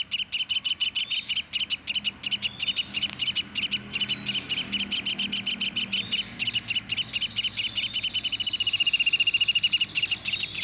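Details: Pelatuk sampit woodpecker giving an unbroken series of high, bright chipping notes, evenly paced for a while, then quickening into a tight trill toward the end.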